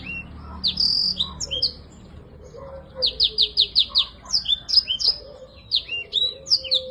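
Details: Energetic black-throated canary song intended to restart silent birds: several whistled downslurs, then a series of five repeated sharp notes followed by rapid varied twittering phrases, with a faint low tone and quiet background noise.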